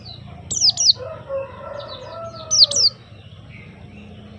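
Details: White-eye sounding bright, high downslurred chirps in close pairs, while a lower drawn-out crowing-like sound runs underneath in the background.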